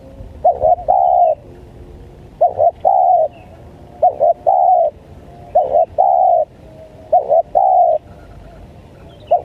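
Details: Spotted dove call used to lure wild spotted doves: a short cooing note followed by a longer steady coo, the pair repeated about every one and a half seconds, loud and clear over faint background hiss.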